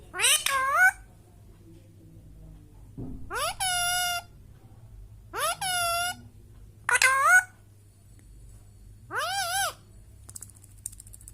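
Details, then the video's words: Five separate rich whistles from an Indian Ringneck parrot, each rising then curving, spaced about two to three seconds apart, with quiet between. "Parrot Natural whistle Sound"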